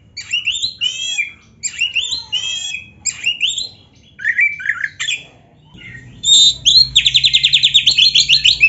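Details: Gacor Oriental magpie-robin, black-breasted form, in full-isian rival song: several short twittering bursts separated by pauses, warbled slurs, then a loud sustained rapid trill of repeated notes.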